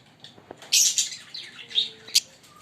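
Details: Green Fischer's lovebirds, a pair, giving shrill chirps and piercing squeaks in short bursts with brief gaps between.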